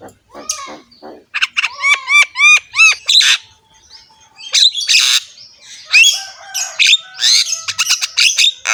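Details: Javan myna with a full, varied repertoire, head-bobbing as it sings: a run of rising whistled upsweeps repeated about three per second, then harsh squawks and rapid chattering.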